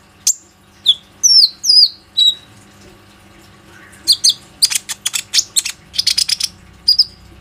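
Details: Plain-throated sunbird singing to draw other sunbirds into calling, phone recording: looping downslurred whistles first, then a dense flurry of sharp high chips.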